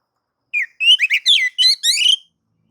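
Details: Oriental magpie-robin song meant to rouse other males to sing, in nagan and ngobra style; after a short pause, a quick burst of bright, warbling whistled notes with rising and falling slurs lasting under two seconds.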